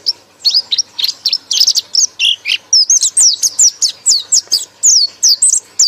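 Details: Pleci (white-eye) delivering a loud ngekek song: a long, dense stream of high, sharply falling whistled notes that grows steadier and more rhythmic as it goes.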